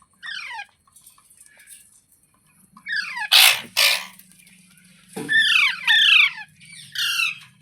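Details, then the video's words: Green parrot, known as mitthu or tota, calling in short, sharp screeches with falling harmonic sweeps. Some are single and some come in quick pairs, spread through the recording over a steady low hum. "Green Parrot Talking Natural Sounds | Mitthu Ki Awaaz | Tote Ki Awaaz"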